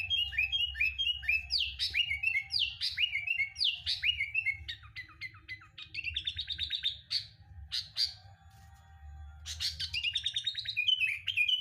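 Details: Sooty-headed bulbul singing as a training lure: lively strings of sharp upswept whistles alternating with fast stuttering chip trills and brief pauses, loud and varied over nearly twelve seconds, with faint low rumble beneath.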